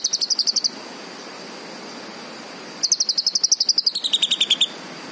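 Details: Green leafbird song: a short burst of rapid, high, clipped notes, a pause of about two seconds, then a longer fast trill that slides gradually lower toward its end.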